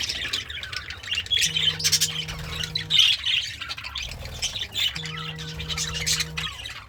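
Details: Happy pet budgie munching greens, singing a rapid, rasping warble of chirps, with two steady low hums in the background, each lasting about a second and a half.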